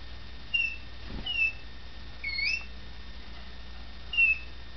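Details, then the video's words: Young male red factor canary, kept at home and still shy in a new house, gives brief clear whistled notes, four short sweeping phrases spaced about a second apart against a steady low hum, recorded on a digital camera. "Mango the Canary singing"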